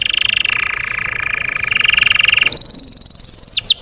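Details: Russian canary singing to provoke untrained canaries: a long harsh, buzzy rolling tour shifting slightly in pitch, then a sudden switch to a bright high rapid trill with a few slurred notes.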